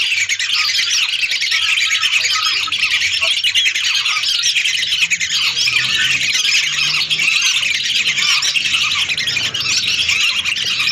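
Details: Hundreds of lesser whistling ducks calling together, a recording used as a lure for trapping; a dense, continuous chorus of high, overlapping whistled and squeaky notes with no pauses.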